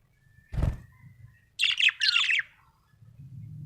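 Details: Happy budgerigar: a dull knock, then two quick bursts of bright, raspy chirps with a short falling note, over a low background hum.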